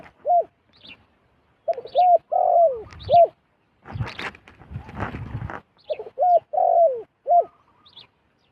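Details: Wild zebra dove drawn down to a decoy bird. Two phrases of rolling, arched coos are split by a loud rustling burst about two seconds long, perhaps wings. Faint high chirps are heard between phrases.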